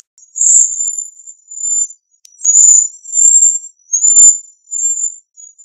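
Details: Cedar waxwing giving thin, high-pitched lisping whistles, drawn out and slightly trilled, in a loose series of about six notes with short pauses; a faint click sounds midway, otherwise a clean background.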